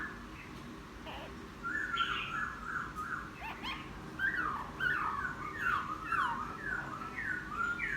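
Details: Laughingthrush, a wild-caught bird kept ten days, singing after bathing: varied whistled and slurred phrases around mid pitch, rising and falling notes in a loose rambling chatter with a few sharp clicks.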